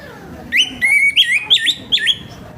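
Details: Orange-headed thrush singing openly in the morning, a rough-voiced song meant to make young thrushes start singing quickly; five loud whistled phrases with sharp rising and dipping notes, some slurred downward, over a faint steady background hiss.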